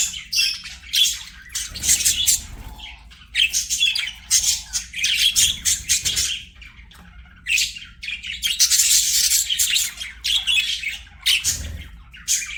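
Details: Several budgerigars chatter while playing: rapid, high twittering and scratchy chirps in loud clusters of about one to two seconds, broken by short lulls.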